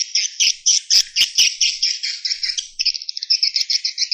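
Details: Swiftlets giving a roosting call: high, buzzy chirps repeated quickly and unevenly, a few loud clicks early on, then the chirps become shorter and faster toward the end.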